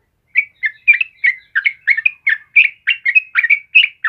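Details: Yellow-vented bulbul singing for bird tutoring: a brisk series of bubbly, twisting chirps, around four per second, strong and even across the whole stretch.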